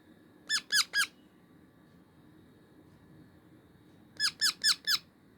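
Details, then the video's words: A young pet parrot gives rasping, harmonic squawks in two bursts, three quick calls, a pause of about three seconds, then four more, in a quiet room. "Cute sound of baby parrot"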